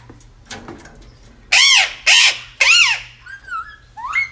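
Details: Pet parrot described as aggressive, indoors in a small room: three loud harsh arched squawks in quick succession around the middle, followed by softer whistled and rising calls near the end; faint rustling earlier.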